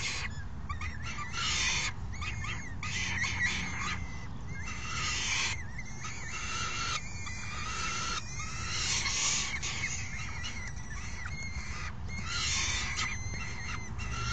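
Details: Hungry young falcons clamour while an adult brings in a meal and feeds them, 3 June 2018. Raspy, screechy begging bursts overlap with thin wavering whines, nearly continuous over a constant low rumble.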